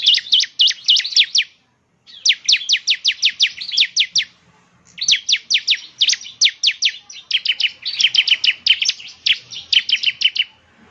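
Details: Lure song of a caged semi-active bar-winged prinia, loud rapid series of high, sharp, downslurred chirps in several bursts separated by brief silences.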